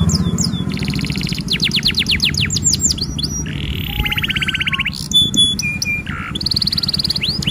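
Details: Loud F1 canary song of long duration, rolls and shots: varied whistled sweeps, a buzzy sustained trill, quick rising notes, a nasal rattling roll and high pure tones, over a steady low rumbling background.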